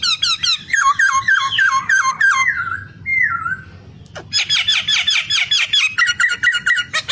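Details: White-browed scimitar babbler (Pomatorhinus schisticeps) calling: rapid runs of squeaky, chattering notes in quick bursts, with a brief pause midway before the chatter resumes.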